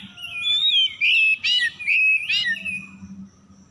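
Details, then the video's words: Oriental magpie-robin lure song to coax stressed, silent birds into singing: a sliding whistled phrase leading into loud buzzy, scratchy notes and fluid slurs, fading out to a low hum. "PANCINGAN PEMIKAT KACER SETRES MACET BUNYI LANGSUNG GACOR"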